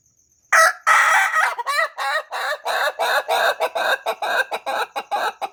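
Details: Ayam Ketawa (laughing chicken) rooster crowing: a long harsh drawn-out opening note, then a fast run of about fifteen short, choppy cackling syllables that quicken and fade, like laughter; a faint steady high tone runs in the background.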